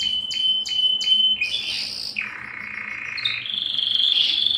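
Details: Belgian canary song opening with several short sharp downslurred chips over a thin steady whistle, followed by buzzy, harsher phrases and a rising twittering trill.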